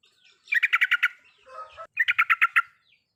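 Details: Yellow-vented bulbul (trucukan) giving riwikan-style song meant to provoke quiet birds into singing: two quick runs of about six bright, chattering notes each, separated by a brief lower, slurred sound.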